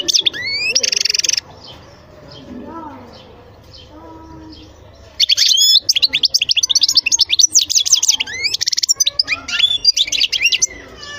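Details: European goldfinch singing: a rising twitter opens, then a long, lively stretch of rapid liquid chirps and buzzy trills after a quiet gap with faint lower notes.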